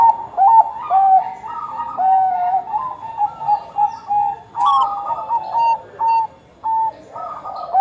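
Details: Bangkok-type zebra dove in full song: rolling, bubbly coo phrases with quick stepped notes, pausing and resuming, other similar cooing layered faintly behind.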